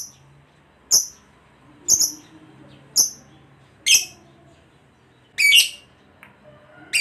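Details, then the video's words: Lovebird, a pet-bird training recording: single piercing high chips spaced about one second apart, ending with a couple of harsher, broader squeaks, over soft low background hum. "Suara Lovebird Full Bass"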